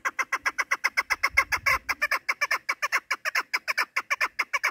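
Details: Chukar partridge, a female, calling in a rapid series of sharp harsh clucking notes, about two or three per second, steady and insistent, with a brief low rumble in the middle.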